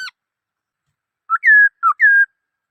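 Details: Two paired whistled phrases from a black-throated laughingthrush, each a short low note followed by a longer clear steady whistle.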